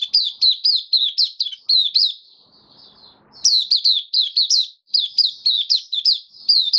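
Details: On 18 May 2022 a kept white-eye, finished with deworming and on supplements, sings buka sing; two bright runs of quick, high, downward-flicking chirps separated by a soft lull.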